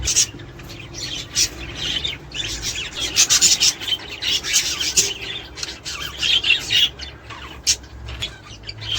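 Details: Budgerigar chatter meant to stimulate mating and breeding: a dense, continuous, raspy warble of scratchy chirps and squawks, uneven in rhythm and busy throughout, with a faint low hum beneath.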